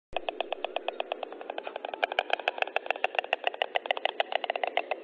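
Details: Four white stork chicks at feeding time on 5 May 2013 around 11:08 give a fast, harsh, rattling chatter of dry pulses, about seven each second, continuing steadily throughout.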